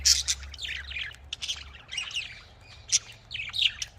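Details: Australian parrots (budgerigars) in a breeding setup give scattered sharp chirps and scratchy warbles with brief pauses between bursts, over a faint hum early on.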